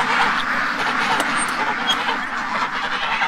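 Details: Free-range domestic ducks in Ontario, Canada, spooked in their pen one morning, raise a loud, unbroken chorus of overlapping nasal quacks, with a few sharper clicks and knocks scattered through.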